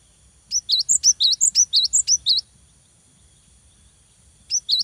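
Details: Cinereous tit in full song, used to provoke rivals and stimulate young tits to sing, giving a rapid series of high, bright two-note chirps, about eight or nine in under two seconds, then a short repeat after a pause.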